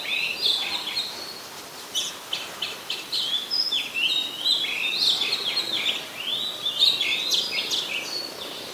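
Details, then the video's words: Oriental magpie-robin, a very common resident, singing in Ubon Ratchathani, Thailand, on 26 December 2020: a rich, varied run of clear whistles, rising and falling slurs and short chirpy notes, delivered continuously with brief pauses. "นกกางเขนบ้าน Oriental Magpie Robin (singing)"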